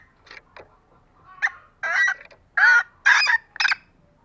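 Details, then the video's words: Female green junglefowl, calling to lure males, builds from soft scattered notes into four loud, harsh, raspy honking calls in quick succession. "Ayam hutan hijau Betina Gacor Cocok Untuk pancing Pejantan yang malas koker"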